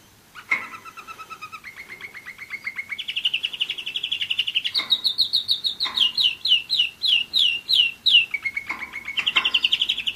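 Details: One-year-old German Roller-split canary, a pet bird, singing varied phrases: a low rolling trill, a rising buzzy section, a rapid series of falling whistles, then another rolling trill and high buzz.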